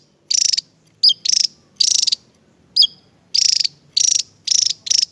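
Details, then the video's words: A Javan tesia, a bird sought for tutoring songbirds, delivers mostly loud buzzy rattles, each a quick series of pulses. Two high, falling notes stand out between them. "burung ini mulai di cari untuk Masteran(tesia jawa)"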